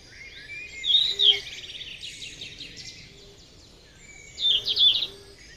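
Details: Wild yellow-rumped flycatcher singing: two short bursts of bright, warbled, high notes about three seconds apart, with thin whistles between them against quiet outdoor background noise.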